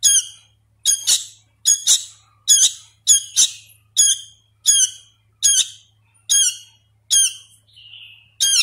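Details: Hand-fed sooty-headed bulbul nestling begging: strident, high, buzzy squawks in bursts spaced under a second apart, one softer lower note near the end, steady faint hum behind.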